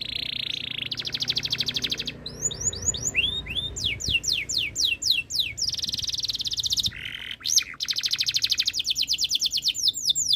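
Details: Singing canary opens with a steady buzzy roll, moves into separate swooping whistled notes, returns to another rolling buzz, then finishes with a fast, even trill of sharp repeated notes.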